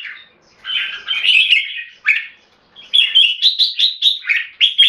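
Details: Captive red-whiskered bulbul from Singapore singing, with clear 'keke' phrasing: a short warbled phrase, a sharp note, a pause, then a steady series of about eight rapid, evenly spaced whistled chirps.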